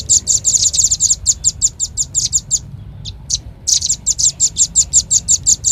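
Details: Velvet-fronted nuthatch lure call. Rapid strings of dry, very high chips break off for a moment, leaving a few scattered notes, then resume at the same quick, steady pace.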